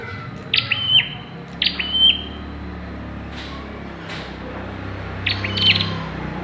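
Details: Pairing-stage bar-winged prinia producing three sharp chirps with short buzzy tails, two close together early and one later, plus a few faint clicks between, over a low hum.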